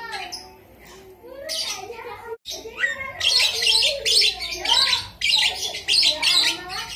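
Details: Javan myna delivering lovebird-style chatter: after a few scratchy, wavering notes, loud high rattling bursts repeat roughly twice a second.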